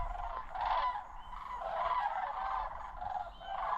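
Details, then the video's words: Migrating sandhill cranes in autumn near Osoyoos, South Okanagan, British Columbia, Canada. Overlapping rattling, bugle-like calls from more than one bird swell and fade in quick succession over a short stretch. "Sandhill Crane Migration"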